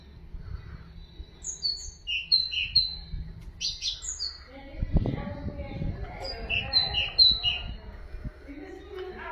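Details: Song of a Common nightingale for teaching canaries and goldfinches: clear whistled high notes in quick pairs and trills, with a louder low rumbling noise in the middle and a low background hum.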